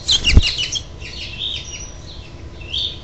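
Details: At a house finch nest on 6/12/07, where a parent goads the last baby to leave, a quick burst of clustered high chirps with a thump comes first, then faint twittering fades out.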